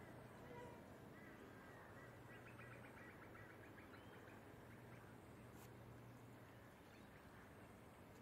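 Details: Pacific black duck on the Sunshine Coast, Queensland, July 2024, gives a quick series of short, nasal quacks over a steady low hum and broad background noise.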